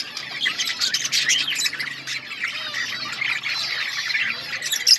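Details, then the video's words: An outdoor budgerigar colony produces a steady, dense wall of squawky chirps and chattering warbles, many birds calling at once without pause. "Budgies chirping sounds in outdoor budgies colony"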